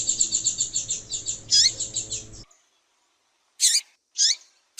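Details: Female double-collared seedeater calling to stimulate males into singing: a fast, even series of high repeated chips lasting over two seconds, followed after a silence by separate sharp harsh calls.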